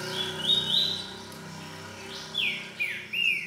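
Green-winged Saltator singing its boiadeiro song type: a few clear, slurred whistles, first rising then sweeping down, with a faint low hum behind.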